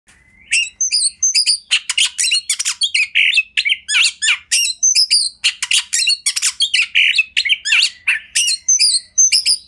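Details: Kacer, a master song meant for training other kacer: a dense, nonstop run of rapid harsh notes, sharp chips and short clear whistles, quick varied phrases following one another with almost no pauses.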